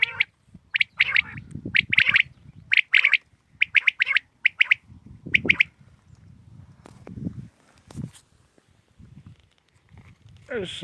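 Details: Morning recording of a common quail giving clipped, high-pitched triple-note calls in steady series, each phrase roughly a second apart, over low rumbling noise, with a short harmonic wail at the close.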